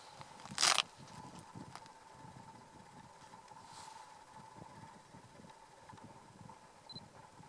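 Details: Black grouse at a lek in North Wales, 1 March 2014: a single loud, rushing hiss near the start over a steady, distant bubbling hum, with faint scattered knocks and outdoor noise.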